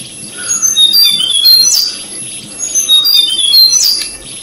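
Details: Tickell's blue flycatcher feeding its chicks in Thailand; soft high whistles scattered in two phrases, quieter than usual, with a faint lower note and persistent background hiss.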